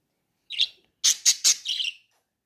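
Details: Pet budgerigar calling: a short high chirp, then a quick burst of three harsh, buzzy chirps and a warbled trailing note, all in a quiet room.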